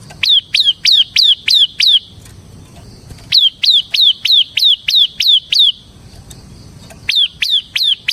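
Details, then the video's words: Ciblek, bar-winged prinia of the semi type, in persistent song; three trains of crisp high down-slurred notes, about seven, nine and four, with pauses between them. "suara burung CIBLEK SEMI GACOR Ngebren Ampuh untuk Pancingan Ciblek Kristal dan Masteran Ciblek"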